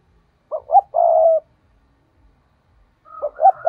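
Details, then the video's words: Caged decoy spotted dove 'thúc' calling to attract wild birds for trapping. A short-short-long cooing phrase, low and rolling, followed by the start of another phrase. "Chim cu gáy thúc || tiếng chim cu gáy mồi chuẩn"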